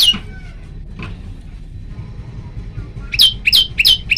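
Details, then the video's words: Male prinia recorded at night with a phone: after a quiet stretch with a faint note or two, three loud, sharp, downward-sliding high notes come in quick succession near the end. "kicau prenjak lumut gacor"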